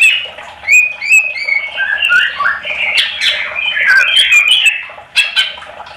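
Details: Greater green leafbird song used to prompt other leafbirds to answer; a lively run of varied whistled and squeaky notes, sliding up and down, loud and nearly continuous.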